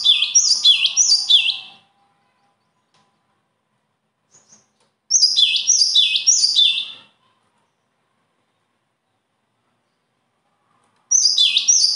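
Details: Bird song in three separated bursts, each a rapid series of four to five shrill chirps that drop and hook upward, with pauses of several seconds between bursts and a faint low hum.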